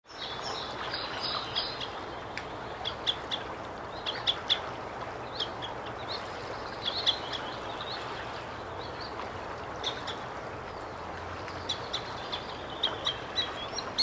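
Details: Green sandpiper in late May 2022 at a calm ocean bay beside a forest on the east coast of northern Sweden, giving sharp, ringing whistled notes in short bursts over a steady background hiss.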